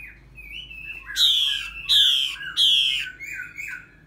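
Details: Energetic three-season-old female red-whiskered bulbul stimulating a male: short whistled notes followed by three loud, harsh, buzzy bursts about a second apart, then softer fluttering whistles fading out.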